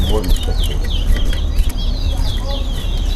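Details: Towa towa, or chestnut-bellied seed finch, in a Linden bird club whistling contest: quick bright whistled notes that dip and rise, about two each second, with a low crowd hum beneath.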